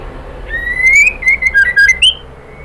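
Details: Female white-rumped shama calling to a male: a long rising whistle followed by quick broken chattering notes and a final upward flick, clear and loud.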